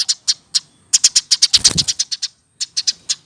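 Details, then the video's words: Eurasian tree sparrow raised by hand from a young bird and now over a year old, delivering spaced high chirps that speed into a dense run, then slow again, with a soft low thump midway. "Umur 1 th keatas burung gereja baru bisa seperti ini"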